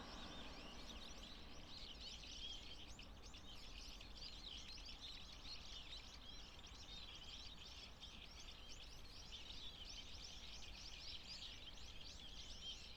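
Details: A mixed flock of Bohemian and Japanese waxwings, in early April in Japan's Shinshu area, feeding on discarded apples, gives a constant chorus of thin, high, buzzy trills over a steady low rumble of wind or distant traffic.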